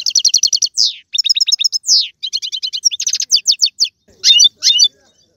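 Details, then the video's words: European goldfinch in the Algerian song styles tiwawati, galoubi and serfati: quick chains of high chirps, sweeping slurred notes and ticking trills, ending in a few louder separate chirps. "مقنين طيواواطي قالوبي و سرفاتي"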